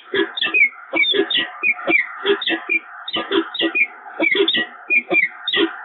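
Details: Peregrine falcon pair bonding again at the Evoluon nest on 7 March 2022: harsh, grating notes repeated rapidly, about three to four per second, in uneven bursts over a steady background hum.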